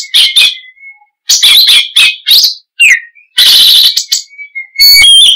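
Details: Oriental magpie-robin singing loudly in lively, chattering style: coarse, buzzy bursts and scratchy rasps alternating with thin, level whistles, ending in high, pure whistled notes.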